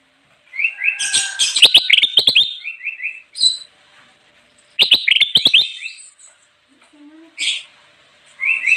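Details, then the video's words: Kutilang emas bulbul in lively, nonstop song used for luring wild birds: bursts of sharp clicking notes and chattering phrases mixed with short whistled motifs, in two main bouts separated by pauses, then brief high notes. "suara burung kutilang emas gacor cocok banget buat pikat"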